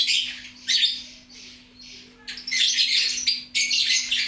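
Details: A lovebird chatters loudly: squeaky high notes, a softer and quieter passage, then loud, rasping bursts of fast twittering.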